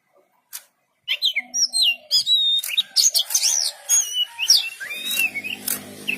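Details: Kacer (oriental magpie-robin) song after a short silence: a rich run of clear whistles, rising and falling slurs and crisp chips, about two notes per second, with a low hum near the end.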